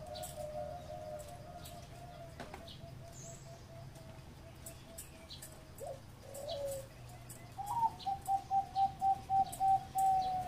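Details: Zebra dove singing in the ror tap style: faint soft coos early on, then a rising note near the end that breaks into a fast, even run of clipped, bright cooing notes at mid pitch, with a steady low hum underneath.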